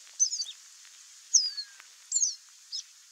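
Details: Chestnut seedeater in the wild giving sparse high whistled phrases: bright slurred notes, one long descending whistle, and a few short chirps spaced about a second apart, with a faint lower whistle behind.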